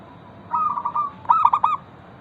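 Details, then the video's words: Local zebra dove in full voice, meant to provoke other zebra doves into song: a soft drawn trilling coo followed at once by a louder burst of three stuttered, rounded notes, against faint steady noise. "Perkutut lokal gacor pancingan ampuh Suara disukai burung perkutut bikin cepat bunyi langsung nyaut"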